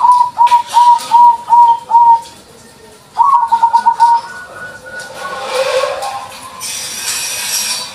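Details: White-barred 'putih lurik' zebra dove in full song: a rhythmic string of five staccato coos, then a second rolling phrase, followed by a quieter stretch with some noise.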